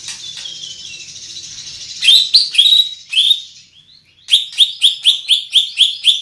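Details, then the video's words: Loud, far-carrying song of a large greater green leafbird: a wavering whistle, a few sharp bright notes, a brief pause, then a fast even series of about eight ringing chirps. "Burung Cucak Ijo Body Besar Suara Tembus"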